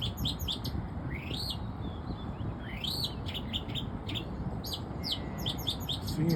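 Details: An Oriental magpie-robin (Copsychus saularis) in Bangkok, Thailand sings a varied run of clear whistles, rising sweeps and quick chirpy notes, phrase after phrase, over a steady low rumble.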